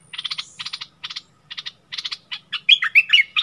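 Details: Decoy bulbul dueling fiercely with a wild bird, neither giving way, recorded 27 March 2021: bursts of rapid, high chattering notes in short clusters, ending in louder looping whistled phrases.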